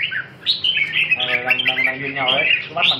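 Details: Red-whiskered bulbul, a competition bird described as very fired up singing alone, gives bright, lively warbling in quick, rich phrases with fluty notes and some buzzy, nasal ones, over soft voices and room sounds.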